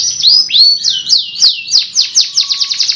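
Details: Canary in full 'gacor' song for masteran tutoring: bright whistled slurs sweep down one after another, then the notes quicken into a rapid, rolling trill by the end.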